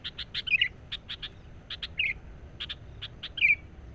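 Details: Sooty-headed bulbul, recorded as a lure for wild birds: sparse warbled whistle phrases about every one and a half seconds, separated by many short dry clicking ticks, with a thin high steady tone behind.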